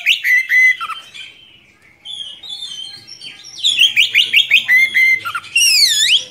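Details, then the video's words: Oriental magpie-robin giving a long, rolling song meant for tutoring young birds: varied whistled phrases, a soft lull, then loud rapid notes and sweeping slurs, with faint low background sounds. "Kacer Gacor Ngerol Panjang Cocok Untuk Masteran Kacer Muda"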